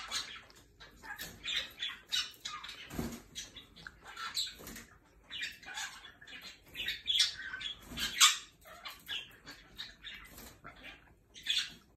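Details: Jenday conures (Aratinga jandaya) taking a shower give harsh, scratchy squawks in short bursts every second or so, mixed with splashing, hissing spray and fluttering wings.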